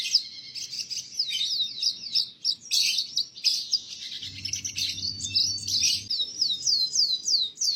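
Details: Canary masteran for teaching young canaries, a busy high song of chattering notes and rapid down-swept whistles, with a faint low hum in the middle of the clip.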